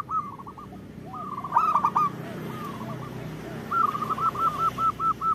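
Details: Zebra dove female calling for the male, meant to coax males into singing: short trilled phrases with faint softer coos between, ending in a clear row of eight evenly spaced, rounded notes.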